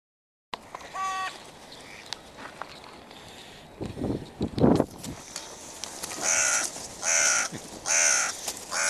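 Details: Crows in stormy weather give harsh, nasal calls with stacked tones: a short burst early on, then four or five loud caws spaced about a second apart near the end, over steady wind rumble and rustling.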